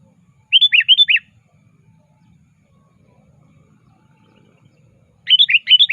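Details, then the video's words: Sooty-headed bulbul actively calling a rival, used as a trapping lure: rapid runs of four short falling whistled notes, one run near the start and another near the end, with silence between. "Suara Burung Kutilang Gacor Aktif Memanggil Lawan"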